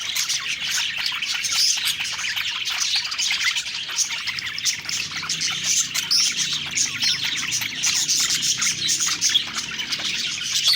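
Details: Budgerigars singing and eating, described as happy; continuous busy twittering of many overlapping high chirps and warbles, rising and falling in loudness without pause.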